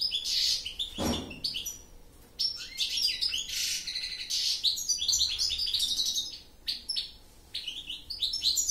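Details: Goldfinch song: bursts of rapid, liquid twittering mixed with buzzy trills and sharp high notes. A short low thump is heard near the start, and there is a brief lull in the middle.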